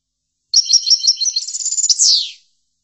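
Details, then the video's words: European goldfinch song phrase for tutoring, liquid chirps then a fast rolling trill and a strong downward buzzy sweep lasting about half a second, no other sounds. "لتحفيض الحسون chordonier"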